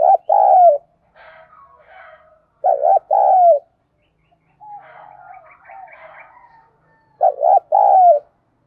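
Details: Spotted dove cooing, played to stimulate wild doves to respond: three phrases of low, mellow hooting coos, each a quick stutter of short notes ending in a long falling coo, separated by softer, fainter cooing from another dove in between.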